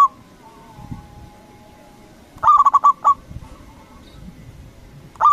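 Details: A local zebra dove used as a lure for rivals. A full phrase of five quick cooing notes plus a trailing note stands out mid-clip, with fragments of song at the start and end over soft thumps.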